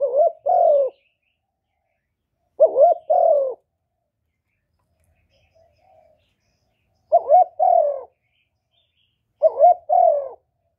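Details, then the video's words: Cooing of a spotted dove used to draw wild doves toward a trap, recorded without background noise: four low, mellow two-part coo phrases, each a short note then a longer falling one, repeated every two to four seconds. "Cu gù cực hay kéo bổi về tàng"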